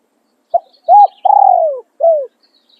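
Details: Spotted dove kept as a trapping decoy, in the khan riak or khan yon singing style. One loud, clear phrase: a short coo, a brief note, a long drawn-out descending croon, then a closing coo. Faint distant chirps are also heard.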